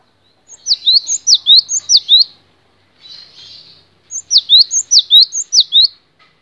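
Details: Cinereous tit delivering two runs of lively repeated phrases, each a high swooping note tied to a short rising whistle, with a soft buzzy pause between the runs.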